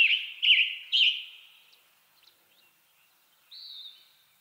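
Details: Western tanager from western North America sings three quick burry phrases in the first second. A pause with faint ticks follows, then a single steady higher whistled note near the end.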